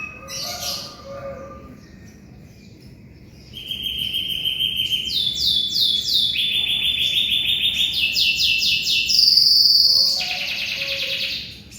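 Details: Singing canary used as a master voice for magpie-robins: opening chirps, then a long sequence of rapid trills shifting through steady pitch levels, climaxing in a loud pure sustained whistle before a buzzy close.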